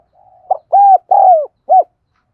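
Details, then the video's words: Lure spotted dove: faint soft lead-in note, then a stuttered start, two long even coos, the second falling, and a crisp short final coo. "Tiếng Chim Cu Gáy Thúc Gù Gáy Gọi Mới Nhất || Chim Cu Gáy Mồi"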